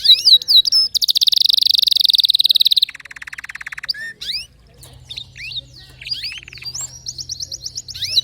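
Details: Canary song with distinctive notes: quick slurred whistles lead into a dense buzzing trill, a lower rattling roll, then scattered sweeping chirps and a fast series of repeated high notes.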